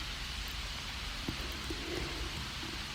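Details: Steady rain hiss with scattered raindrop taps and one soft thump; no animal calls.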